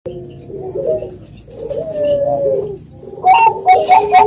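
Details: Spotted dove cooing: low, mellow notes that rise and fall, then a brighter, louder burst of cooing near the end, with faint indoor room sound.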